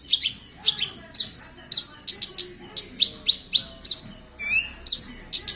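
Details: A Javan bush lark from Kediri sings energetically, with piercing high chirps in pairs and singles, plus one rising, slurred whistle partway through, against a quiet low rumble.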